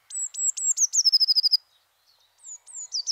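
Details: Eurasian blue tit singing in a French garden-bird recording: two or three thin, high drawn-out notes lead into a rapid, slightly falling trill, followed after a pause by further high whistled notes.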